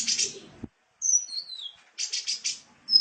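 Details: Sunbird (kolibri) recording for training Indonesian cage birds: buzzy high rattles, a clean whistled note sliding downward, then more dry rattling bursts and a thin high note, with abrupt cuts between sections.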